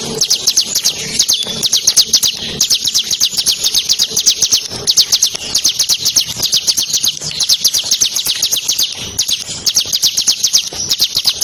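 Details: Ciblek Kristal, a bar-winged prinia, delivers a long, strong song in the nembak ngebren style, recorded as tutor material for competition birds. Dense high chips rattle on in bursts, with a soft low hum underneath.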